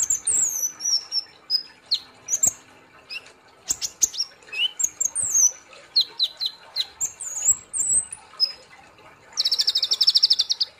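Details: Gacor ngobra nembak song of a kolibri ninja sunbird: high, piercing downslurred whistles and chips in quick succession, ending with a fast buzzy trill.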